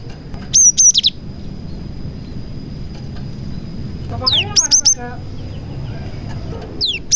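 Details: Song of a cinereous tit stuffed with prenjak (prinia) phrases, meant to draw other tits into singing. Short clusters of piercing high chirps and a steep descending sweep are separated by quiet gaps, with a steady faint tone underneath.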